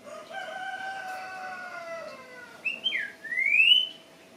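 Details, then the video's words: Greyish saltator (Saltator coerulescens) singing a short, loud whistled phrase, a quick slurred note then a clear rising, sweeping whistle, after a rooster crows. "Saltator coerulescens, saltador gris, dichosofui."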